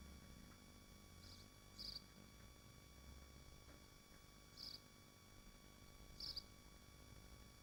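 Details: Swifts at their nest in Machynlleth within the Dyfi Biosphere give three spaced, sharp, piercing screech notes, a few seconds apart, against a background of steady hum and low rumble.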